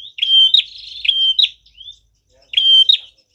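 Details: Lure recording of a Prinia: high buzzy whistled phrases run together with sharp upward flicks, then a short pause and one more phrase.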